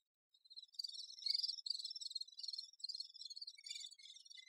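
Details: Great spotted woodpecker busy with its young: high rasping, buzzy chatter builds after a short silence into a steady stream of rapid scratchy pulses.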